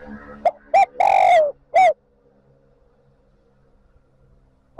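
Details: Decoy spotted dove cooing to lure wild doves back to join the flock: short clipped notes, one long drawn-out falling coo, then a short final note, with a faint start of another phrase at the end.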